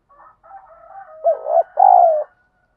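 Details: Spotted dove calling in a fighting and decoy-training context: soft low murmuring notes build into three louder, throaty coos, the last one longest and slightly falling.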